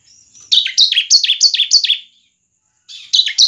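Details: Song of a bar-winged prinia in 'semi crystal' style, played to get other prinias singing: a rapid run of about six bright, falling chirps at an even pace, a pause, then another burst begins.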